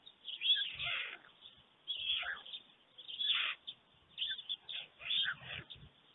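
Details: White storks at a nest camera in Germany at dawn, 5:38 a.m. on 24 June 2020: an adult returns and is greeted by its mate before feeding the single storklet; harsh, raspy bursts, about five, separated by short pauses.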